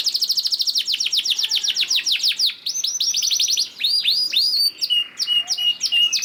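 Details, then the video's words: Canary singing as a lure to set other canaries off, opening with a fast rolling trill of repeated downward notes, then varied chirps, sweeping slurred notes and short whistled tones near the end. "PANCINGAN KENARI GACOR DOR NGEREK PANJANG INI AMPUH BIKIN KENARI LAIN BUNYI"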